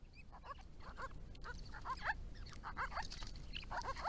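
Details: Small group of wild Grey-crowned Babblers visiting a garden pond built for them, giving a run of short, sliding, downslurred chattering notes, several birds overlapping, with steady low background rumble.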